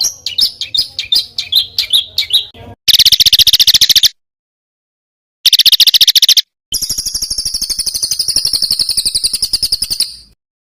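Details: Small songbird with rough, bursting phrases for Indonesian contest-bird training: varied chirps, then abrupt dense buzzy rattles separated by silences, ending in a long even high trill.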